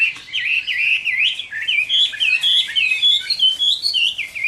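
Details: Vigorous fighting song from a captive Chinese hwamei on a summer midday: rapid, wavering whistled trills climbing gradually in pitch, delivered without pause.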